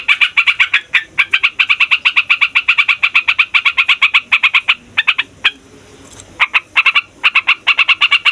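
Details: Fighter yellow-vented bulbul pouring out long rolling song to lure wild bulbuls and prompt young males and females to sing: very rapid bubbly chirp chains, broken by a short quiet gap before resuming.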